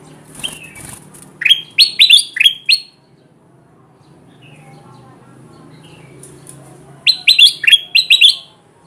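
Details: Lure recording of a lively kutilang emas bulbul, used to call wild bulbuls toward traps: two bursts of rapid, bright chirping notes that slide downward, separated by several seconds of near silence with faint rustling.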